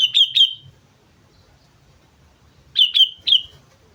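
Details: Sooty-headed bulbul from Mount Slamet singing two bright whistled phrases, each a quick pair of clear notes, separated by a long quiet pause; faint low rumble underneath.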